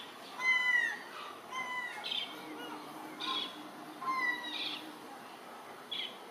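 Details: Herring gull calling on 8 July 2018: a series of ringing, harmonic cries that fall slightly in pitch, repeated roughly every one to two seconds, mixed with short harsh squawks and quieter calls in the background.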